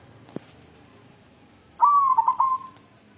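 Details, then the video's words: White zebra dove, a local wild-type bird, calling for a mate: after a faint click, one bright whistled coo with three rapid stuttered pulses, then a smooth level tail fading out. "Perkutut putih galau mencari jodoh"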